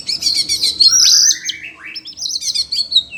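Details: Caged Oriental magpie-robin, agitated on hearing other birds, gives a loud rich phrase: rapid high twitter, a long rising whistle, a second upward sweep, then more fast warbling.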